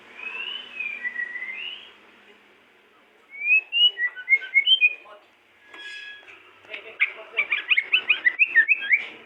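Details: A pair of white-rumped shamas of the pied 'blorok' form in full song: clear rising and falling whistles open, then a burst of quick twittering notes, a pause, and a rapid run of sharp chattering phrases.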